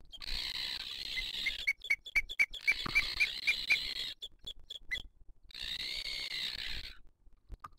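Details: At a wild booted eagle nest in 2023, with the female feeding the chick: long wheezy screeches broken by rapid evenly spaced high ticking notes, about four per second, followed by another drawn-out hiss.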